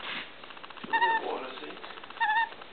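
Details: Young female white-backed Australian magpie, about 1.5 to 2 months old, hand-reared after being hit by a car, begging when hungry: two short, clear, slightly wavering whistled notes about a second apart, with a woman's voice at the start.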